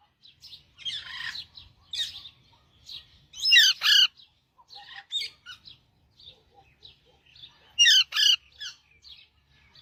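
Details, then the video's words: Parrot song made of scattered chattering notes broken by two loud, rasping double squawks, set against a quiet, otherwise silent background. "parrot singing"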